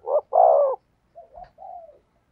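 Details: Spotted dove, thổ sấm voice style, gives a short loud hoot then a long booming coo, followed after a pause by three softer, lower, drawn-out coos with a faint tap between them.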